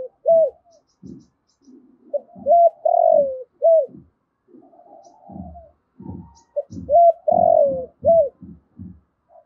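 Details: Spotted dove kept as a decoy, recorded directly while calling wild birds: two full phrases of a brief coo, a long falling coo and a short arched coo, with muffled low thumps scattered throughout.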